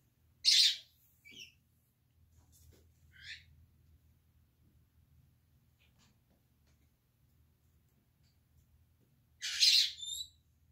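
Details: Senegal parrots, ten kept inside a converted office bird room; two loud, raspy squawks about nine seconds apart with a few soft chirps between, against quiet indoor background.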